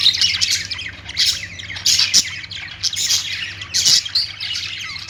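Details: Budgies, named as singing Australian parrots, give loud squawky bursts about every second amid softer continuous twittering; a steady low hum runs throughout.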